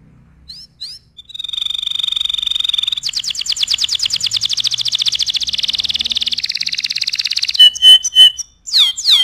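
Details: Canary song for teaching other birds: a few scattered chirps lead into a long, fast rolling trill of high notes lasting over four seconds, followed by sharp pure whistles and upswept calls.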